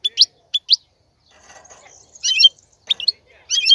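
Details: Male European goldfinch tutor song: short bright chirps and little twittered clusters spaced irregularly, with a soft, low murmur in a quieter middle stretch.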